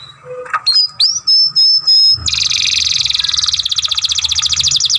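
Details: Young canary kept as a masteran for song training, giving a few clear whistled notes and slurs, then breaking into a long, rapid, pulsing buzzy trill.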